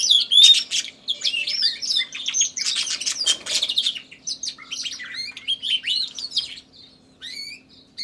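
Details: A recently bought canary competes in song with a background tui, delivering rapid trills and varied whistled notes that thin into separate chirped phrases near the end, with a faint steady hum.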